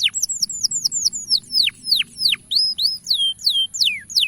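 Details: Male canary voice used to get young canaries singing: high slurred whistles repeated quickly, then longer falling notes and curling whistled phrases at a steady, slightly irregular pace.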